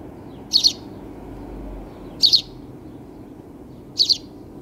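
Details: Sparrow chirping: short doubled high chirps, each pair quick and bright, repeated roughly every one and a half seconds over a steady low background rumble.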